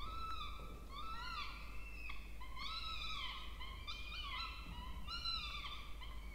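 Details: Begging Peregrine falcon chicks, two, being fed in the Charles Sturt University water-tower nest box, Orange, New South Wales, Australia, 20 October 2024; shrill arched whining notes about once a second, some overlapping, over a steady low hum.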